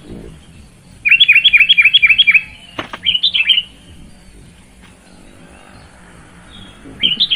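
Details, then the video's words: Sooty-headed bulbul singing. A quick run of seven bright, chirpy notes repeats about four times a second. A short warbled phrase follows, then a pause, and another chirp begins at the end. "Terapi Burung Kutilang Malas Bunyi Jadi Gacor Bermental Petarung"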